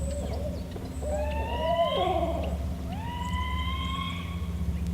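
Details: Barred owl giving two long, rising, nasal wails, each climbing in pitch over about a second, over a steady low rumble. The uploader calls it a strange call, possibly from a mate or a juvenile.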